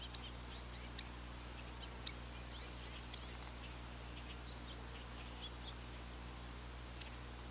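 Spotted Sandpiper giving sharp, high single peeps about once a second, then a pause before one more; faint twittering and a low steady hum beneath.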